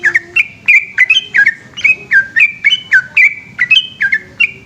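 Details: Night-time ropel song of a yellow-vented bulbul: an unbroken chain of rich, gurgling whistled phrases, each a quick slurred rise and drop, roughly three to four per second. A soft low rumble sits underneath.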